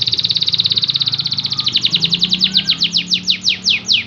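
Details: Canary song played as a lure to make lazy or quiet canaries sing more; a very fast, even trill of high notes slows into a series of separate downward-sweeping whistled notes, with faint low background hum.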